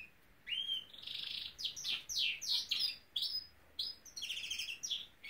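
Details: Norwich canary kept as a pet, singing: after a brief quiet start, bursts of high buzzy rolls and sweeping chirps separated by short pauses, with a faint low hum in the background.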